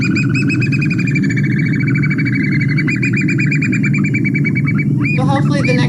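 American Oystercatcher giving a fast, steady series of loud, clear whistled notes, then a few sharper rising notes, over a heavy low rumble.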